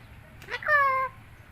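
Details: A white cockatoo known as a clever talker utters a short word-like sound: a sharp onset sliding into a smooth, sustained, voice-like tone lasting under half a second, with low background hum.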